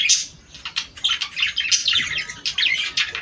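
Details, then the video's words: Budgerigar warbling to stimulate mating: quick chirps and squeaky twittered notes in short bursts, with a faint thin whistle partway through. "صوت طيور البادجي ــ تحفيز للتزاوج."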